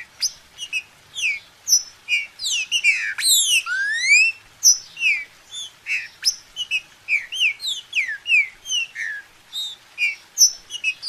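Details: Green-winged saltator in lively song for warming up a kept bird: dense stream of whistled slurs and chips, over two per second, with a burst of steep rising sweeps near the middle.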